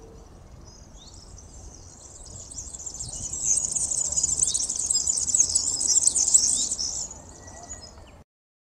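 A male European serin sings a rapid, very high, jingling and sizzling stream of notes lasting about five seconds, with faint background hiss.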